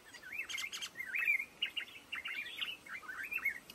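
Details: Black-crested bulbul song among lồ ô bamboo: a steady series of liquid, looping whistles, each swooping up and down, with a couple of sharp clicks early on.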